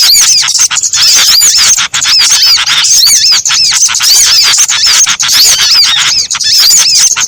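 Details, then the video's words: Several small birds calling together as a combined trapping lure: a steady wall of sharp, high chirps and curved squeaky notes, packed tightly and unbroken, with only brief dips. "Suara Pikat Sogon Ampuh Kombinasi Burung kecil"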